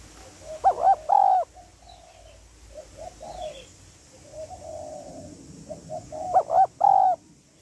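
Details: Female spotted dove calling to stimulate a male, in the Vietnamese hạp bổi style: a short burst of two to three rising-falling cooing notes ending in a longer held coo, repeated after quieter soft coos in between.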